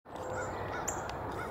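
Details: A crow dive-bombing and mobbing a Red-tailed Hawk gives a harsh, rasping, drawn-out caw that fills the clip. A brief, thin high chirp from another bird cuts through near the end.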